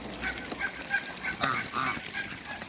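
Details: Male and female Muscovy ducks on backyard water give brief, harsh honking calls, a few in quick succession, with steady background noise underneath.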